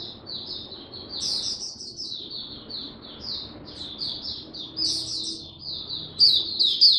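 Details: A caged oriental white-eye sings through cold, rainy weather in an unbroken stream of high, sweet twittering notes, rising and falling quickly, with steady low background noise beneath.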